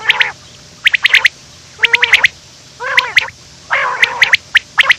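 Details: Quail in the morning, described as running, uttering rough nasal calls about once a second, each a short burst of layered tones topped by quick high clicks.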